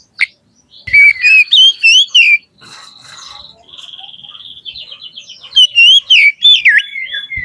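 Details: Oriental magpie-robin in loud, open riwik-style song: sweeping whistled notes, a long buzzy trill held at one pitch, then a rapid rattling series and more looping whistles.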